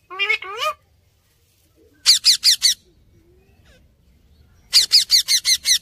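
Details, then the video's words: Indian parrot calls: two rising, nasal notes at first, then two fast bursts of four and six short, harsh, high squawks in quick succession, separated by a quiet gap. "INDIAN PARROT BIRDS"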